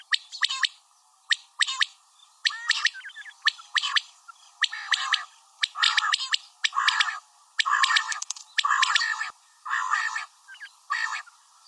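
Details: Female common quail calling, a rapid series of harsh, broadband chattering bursts repeated roughly once a second, each burst short and clipped, with brief silent gaps between them.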